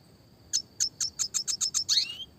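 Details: Red siskin delivering clear classic chirps: eight sharp high chip notes at about five per second, ending in a rising slurred whistle, over a faint steady high hum.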